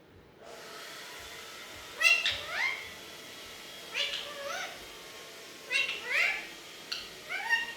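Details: Pet desi Alexandrine parakeet talking in Hindi: a quiet run of nasal, speech-like syllables with rising sweeps, in short bursts at about two, four, six and seven seconds over a low hiss.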